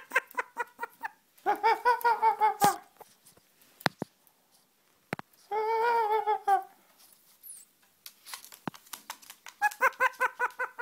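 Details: Laughing Black-headed caique giving rapid staccato chuckles alternating with two long, wavering, nasal stretches, separated by sharp clicks and knocks, before a final fast run of pulsed laughing notes.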